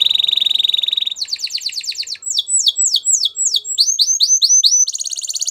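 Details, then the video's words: Canary moving from a fast buzzing trill to a quick rattle, then swooping repeated chirps about three per second, closing with another high trill. "Canary Bird Sounds | Melodies Canary Singing"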